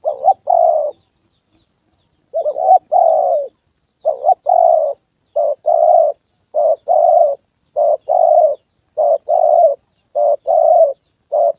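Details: Trapping decoy spotted dove in Gia Lai, Vietnam, answering a wild male and a female near the 2 September holiday; a steady run of paired soft coos, a short note then a longer one, about every second.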